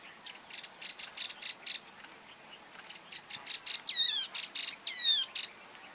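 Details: A Yellow-eyed Babbler (Chrysomma sinense hypoleucum) at Soorwal Lake, India, in November 2023 gives a run of quick, high, buzzy chipping notes, then two louder, sharp whistled notes with a quick down-and-up twist.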